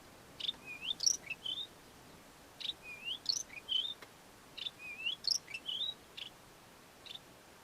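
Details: Melodious lark of southern Africa singing and mimicking other local bird species: thin, high whistled and slurred notes, some rising and some falling, in a phrase repeated three times, over steady background hiss.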